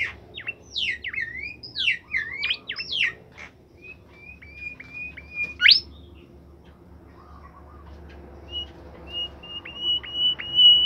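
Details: Bimoli bird kept caged, singing hard: a fast jumble of scratchy looping chirps, then a loud rising sweep and a series of high level whistles with sharp downward flicks, over a faint background hum.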